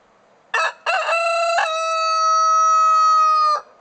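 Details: Cochin rooster crowing in the afternoon: a short rough opening note, a brief gap, then a harsh broken phrase flowing into a long, steady, ringing held note of about two seconds that cuts off abruptly, against a quiet background.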